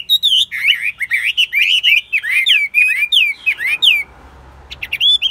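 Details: Kept Chinese hwamei, said to sing and fight well, pours out rapid looping whistled notes, rising and falling phrases in a fast run, then a brief pause and a few more sharp whistles.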